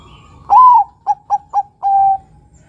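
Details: Vigorous song of a zebra dove, a Bangkok and local crossbreed, meant to draw other birds into singing: a long rising-then-level coo, three short punchy coos, and a long steady closing coo.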